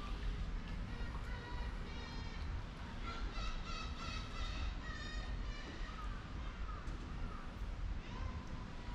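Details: A Humboldt penguin at Zoorasia, Yokohama, gives a braying string of harsh, nasal, donkey-like honks in quick succession over several seconds, against a heavy low rumble of wind or engine.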